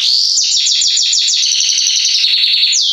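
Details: Steady rhythmic trill from a male Belgian canary of the Salsa type, a warm-up song: evenly repeated chirped notes about ten per second, then a smooth high whistle rising at the end.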